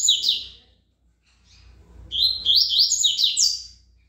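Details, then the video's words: A coleiro, called a good singer, delivers Tui Tui song: a brief high twitter, a pause, then a strong string of fast, rising and falling whistled notes. "coleiro Tui Tui bom cantador"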